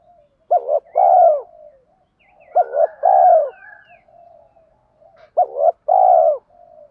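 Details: Spotted dove cooing used to excite trained birds, including male and female; three phrases roughly every two and a half seconds, each a clipped double note then a long descending coo, soft coos between.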